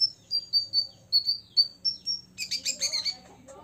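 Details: Olive-backed sunbird, six years old, singing to provoke rivals: a run of evenly spaced thin whistled notes followed by a dense burst of rapid chattering chirps.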